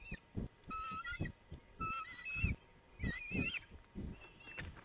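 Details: Two young bald eagles fighting over food at their Illinois nest, late afternoon, 25 June 2019; squeaky whistled calls with wavering, slurred notes, repeated every second or so over bumping and scraping sounds.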